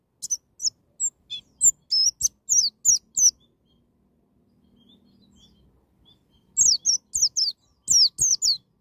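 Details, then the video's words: White-eye in "ngalas nembak" wild-style singing to prompt a young bird: quick bursts of high, thin, sharply falling whistled notes, a quiet gap, then another rapid burst of the same notes. "BURUNG PLECI NGALAS NEMBAK,MEMICU PLECI BAHAN CEPAT NGALAS BUKA PARUH"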